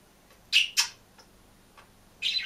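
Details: Green budgerigar kept alone in a cage makes two quick harsh chirps, a few faint ticks, then a louder buzzy chirp at the end, over a light background hiss.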